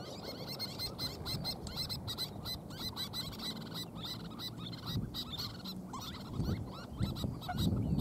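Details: Little terns at a nest, where two of three chicks hatched a few days ago, give sharp, high, rapid calls in quick series throughout, many birds overlapping, over a steady low wind rumble.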